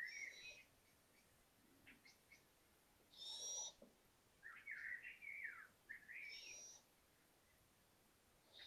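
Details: Five little owl owlets exploring a balcony after leaving their nest: a loud high hissing screech, rising chirps and wavering squeaky notes in short bursts, with brief pauses between.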